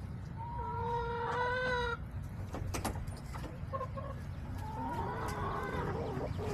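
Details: Backyard chicken flock on July 17, 2024: a drawn-out harmonic rooster crow opens, then sharp clucks and short double notes, and a second rasping crow-like call near the end, over low background rumble.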